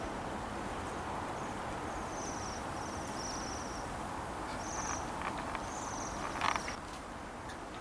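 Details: A flock of waxwings in Bryansk city, December 2023, giving a series of high, buzzy, shivering trills in quick succession, with steady background hum and a few clicks and rustles.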